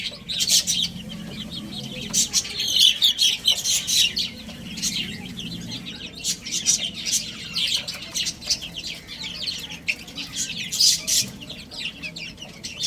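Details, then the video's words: A group of small chicks eating and playing keeps up busy, high-pitched peeping in loud bursts separated by brief lulls, with light tapping sounds among the calls. "Cute Little Chicks Chirping Sounds"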